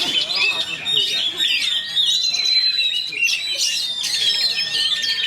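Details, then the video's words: Oriental magpie-robin (kacer) of fighter type delivering a dense, speedy rolling song: unbroken high twittering and sliding whistles, with louder scratchy flourishes near the end. "KACER ROLL SPEED RAPAT"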